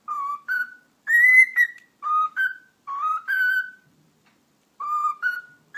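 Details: Household cockatiel that talks and whistles, whistling a repeated melody: a low note followed by a slightly higher one, then a long rising tone, the pattern returning several times with short silences between.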